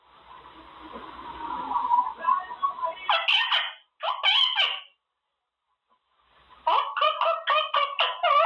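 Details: Caged pet Quaker parrot practising new words: low background hum at first, then scratchy chattered phrases, a pause, and a rapid series of short repeated squawky notes.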